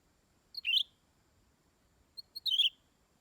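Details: Greater green leafbird giving two short, high, sharp ticks followed by a brief descending chirpy sweep, the phrase heard twice over a quiet background.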